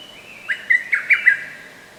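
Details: Lesser cuckoo in a forest park, recorded 15 May 2024. One fast phrase of about five loud, abrupt notes cuts through faint background birdsong.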